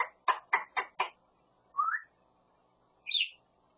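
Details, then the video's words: Grey parrot kept as a pet that copies speech, hammer sounds and anything it hears: five sharp knocking taps in quick even succession, like hammer blows, then a short rising whistle and a higher brief whistled note. "말잘하는 회색앵무새"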